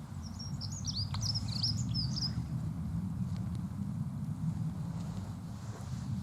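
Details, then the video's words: A single fast, tinkling Dunnock song phrase lasting about two seconds, high and squeaky, followed by quieter background with a deep continuous rumble. "L' AGREABLE BRUIT DE L' ACCENTEUR MOUCHET"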